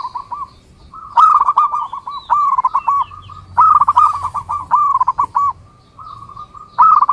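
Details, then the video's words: Zebra dove song, a series of fast, rolling, bubbling coo phrases repeated with short gaps, each phrase a quick staccato run of even-pitched notes, with a faint low hum beneath. "SUARA Mp3 Burung Perkutut"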